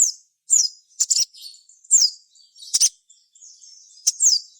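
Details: Sogon call used as a lure for other sogon: high downslurred whistles alternating with sharp chirp pairs, repeated in uneven phrases of roughly one second, with soft twittering between them.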